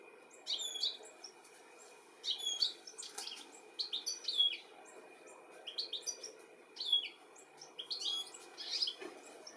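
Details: Goldfinch, European, recorded in the UK in July 2017 while searching for its young: busy run of high twittering and chirping notes in quick irregular bursts, some overlapping, over a faint steady hum.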